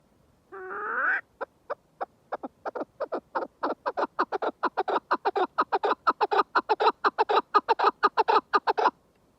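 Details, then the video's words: {'caption': 'Chukar partridge calling: a drawn-out, harmonic, rising note opens a fast, accelerating run of sharp, clucking chuk notes, about two per second at first, then several per second, building louder to the end.'} "کەو - دەنگی کەو - کەوی دەنگ خۆش - kekliksesi - keklik - куропатка- صوت الحجل"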